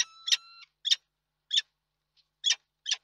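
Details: Male peregrine falcon at a nest in Reda, Poland, 31 March 2022, calling to its mate before flying off: five or six harsh, grating notes about every half second, with a faint steady whistle-like tone at the start.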